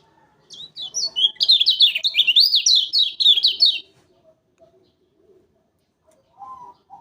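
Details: Lemon-bellied white-eye, known on Lombok as yellow kecial, in a lure recording for bird trapping: a fast, strong burst of high, jagged up-and-down notes lasting about three seconds, then quiet and a short lower note series.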